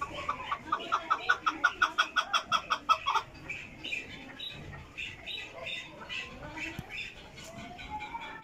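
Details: Chukar clucking rapidly for about three seconds, then fainter scattered calls with background noise.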